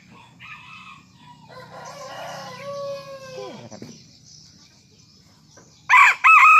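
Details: A Serama junglefowl out of its cage and perched on a hand, crowing in the morning: a softer crow whose long final note slides downward and fades, followed by a loud new crow starting at the end.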